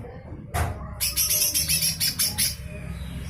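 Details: Harsh rattling song of a lesser green leafbird, used as tutor song for other cage birds. A brief sharp note is followed by about eight rapid rasping notes in quick succession, over low background hum.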